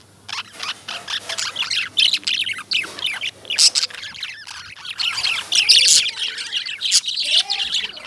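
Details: Lovebirds chirping in a noisy group, with rough high chirps that grow denser partway through, some softer whistled slides, and a faint low hum in the background.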